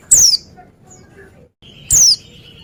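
Oriental white-eye giving two very high, thin, sharply falling notes about two seconds apart, with quiet background between.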